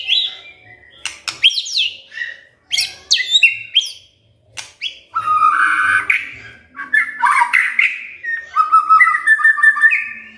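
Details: Magpie-robin song meant to prompt a quiet bird to sing: sharp scratchy chips and whistles early on, then sustained warbling and fluttering whistled phrases, with some low background rumble.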